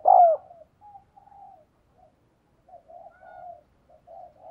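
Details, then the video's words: Spotted dove used as a decoy to stimulate and excite males: one short, loud, throaty coo at the start, then a series of softer, low, hollow coos trailing off, with quiet gaps between. "Tiếng Chim Cu Gáy Kích Bổi Căng Lửa Hiệu Quả, Thúc Gù Rất Sung - Chim Cu Mồi"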